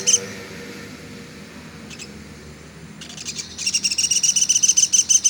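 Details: Velvet-fronted nuthatch, pelatuk sampit in local terms, in a songbird tutor recording: a single chip, a long quiet stretch, then a steady, loud series of high, rapid notes through the final seconds.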